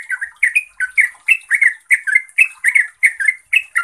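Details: Continuous bubbly chatter from a yellow-vented bulbul, called trucuk in Javanese, in gacor style: paired and tripled slurred notes rising and falling, tightly packed with almost no pauses.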